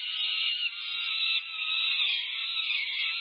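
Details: Begging of five-week-plus peregrine falcon chicks during a feeding frenzy at a Berkeley, California nest on 18 May 2023. Continuous grating screams, slightly uneven, with two short lulls in the first half.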